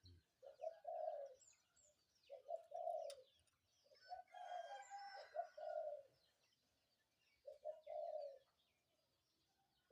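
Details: Spotted dove calling in the morning: low, soft cooing phrases of two or three notes, repeated in four bursts across ten seconds, with faint higher chirping from other birds midway.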